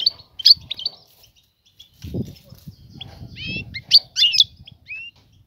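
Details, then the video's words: European goldfinch female calling to attract a male for mating: high sharp chirps and twitters, including a rising ladder of notes, with low rumbling noise in the middle. "أنثى الحسون جاهزة, تبحث عن الذكر للتزاوج"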